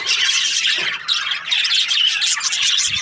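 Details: Budgerigars kept as breeding pairs, a steady dense chorus of scratchy, twittering high chirps from many birds with a brief dip in volume near the middle.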